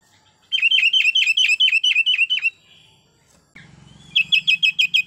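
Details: Sooty-headed bulbul calling to other bulbuls, used as a lure call: a fast run of about thirteen sharp, hooked chirps, then a pause and a low hum before the chirps resume.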